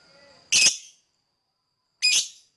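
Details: Lovebird call used for bird whistle training: two loud, harsh squawking chirps about one and a half seconds apart, after a faint thin whistled tone.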